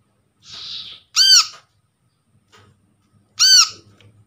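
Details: Brown-throated sunbird, untrained and caught in the wild, calling to lure silent sunbirds into song: a soft buzzy note, then two loud harsh arched chirps about two seconds apart.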